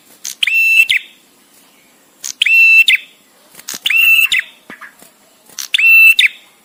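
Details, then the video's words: Visiting male Bar-winged prinia used as a training model for songbirds: four harsh, level, nasal phrases, each starting with a sharp note, separated by gaps of up to a second and a half. "suara prenjak tamu JANTAN!!! dengan jeda cocok untuk masteran"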